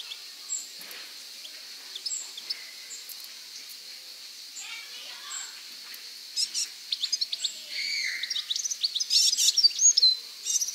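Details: European goldfinch singing outdoors in nature: scattered thin chirps at first, building into a fast, busy stream of high liquid twitters and trills, with a constant faint high-pitched hum behind.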